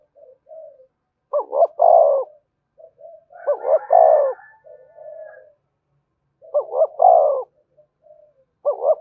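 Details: Spotted dove cooing to attract wild doves, which respond quickly: three phrases of two clipped notes and a drawn-out low coo, interspersed with soft murmured notes and a fainter higher call.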